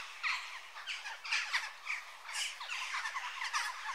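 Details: Western jackdaw calling, abrupt grating squawks about once a second over a backdrop of softer, overlapping chatter.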